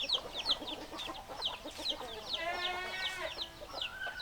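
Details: Hens clucking: a run of short, sharp descending clucks repeated roughly every half second, with a brief drawn-out harmonic note in the middle and more chickens calling softly behind.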